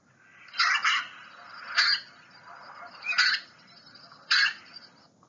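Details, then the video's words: Common snipe giving four harsh, rasping 'scaap' calls, each a short scratchy burst, spaced a bit over a second apart, against a faint background hiss. "the common snipe is a small bird that sounds like this"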